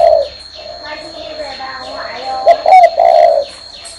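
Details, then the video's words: Spotted dove on a person's hand giving one clear three-part coo late in the clip, preceded by softer murmuring sounds and a thin continuous high tone in the background. "CHIM CU Đậu trên tay vẫn gáy"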